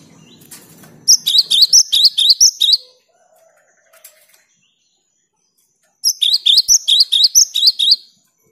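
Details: Cinereous tit singing vigorously, used to prompt silent tits to sing: two bouts of about eight rapid, bright, high two-note phrases, each bout lasting around two seconds, separated by a quiet pause.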